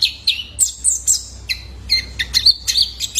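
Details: Juvenile male Van Hasselt's sunbird, a lure recording for stimulating caged birds to sing: sharp high chirps and short downslurred notes, some sliding tones, delivered in quick uneven bursts with brief pauses.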